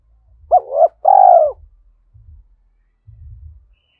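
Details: Spotted dove decoy prompted to coo quickly, thổ sấm voice: one phrase of two swooping notes and a long falling coo, followed by low rumbling knocks and thuds.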